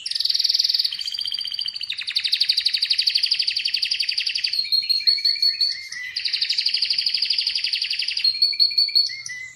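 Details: Singing Atlantic canary, presented for calm and relaxation, delivers long rolling high trills alternating with clear sustained whistled tones and bursts of sharp repeated notes, phrases switching every couple of seconds in a continuous flow.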